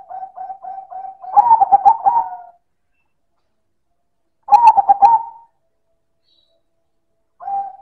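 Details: Silver zebra dove cooing strongly, with several short soft introductory notes leading into a rolling stuttered coo that trails off. A second full phrase follows after a pause, and a fresh soft note begins at the end.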